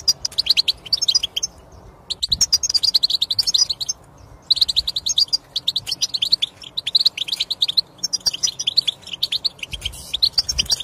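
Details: European goldfinch singing to stimulate silent goldfinches into song; long runs of fast, tinkling high twitters and buzzy trills broken by a few short silences.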